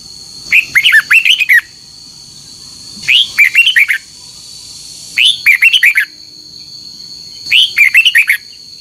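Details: Morning contest song of a red-whiskered bulbul, used to train and rouse birds to sing: four short, lively phrases of clipped, slurred whistles arriving about every two and a half seconds, with a faint constant high tone behind.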